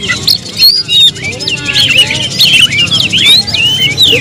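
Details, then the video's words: Oriental magpie-robin kept as a pet, pouring out continuous chattering song of twisting whistles and quick chips that grows busier after the first second, over a low hum. "suara kicau burung Kacer"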